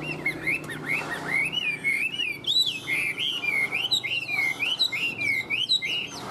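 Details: Caged Chinese hwamei kept as a pet songbird, in heated singing form, giving a run of loud, wavering whistled phrases that rise and fall in quick succession, with a low background hum and a brief faint voice.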